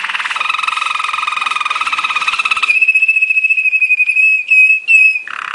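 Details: Waterslager canary, the Belgian water singer, in training song: a long steady rolling trill, then a pure whistled sustained tone broken into short pulses, ending with a lower soft note.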